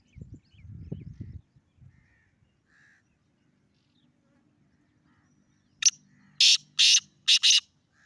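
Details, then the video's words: Black francolin on top of a rock: low rustling and faint notes at first, then a sudden harsh series of five grating, buzzy notes in uneven rhythm. "Kala Teetar Awazl Teetar Ki Awaz Black Teetar Calling Top Of Rock"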